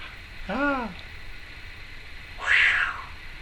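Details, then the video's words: Pet female Timneh African grey parrot chattering indoors: an arched, harmonic meow-like call, then after a pause a louder, rough squawk. "Timneh African Grey... chattering and noises"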